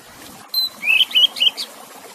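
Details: Oriental magpie-robin song mixed with trickling water, played to revive stressed or silent birds: a thin high whistle, then four quick slurred whistled notes, the notes sliding upward, over a soft steady hiss.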